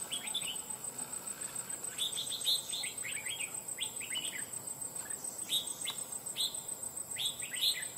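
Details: Caged red-whiskered bulbul, a stubborn wild-caught bird taken after almost two months of trapping, delivers bright, slurred whistles in short phrases of three or four notes, with a steady shrill insect drone behind.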